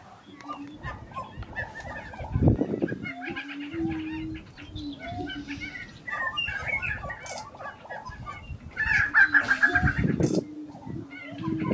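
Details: Lekking grouse in Colorado, April 2023: busy chorus of many birds with quick clucking and popping notes, a steady low droning tone, and two bursts of deep low thumping.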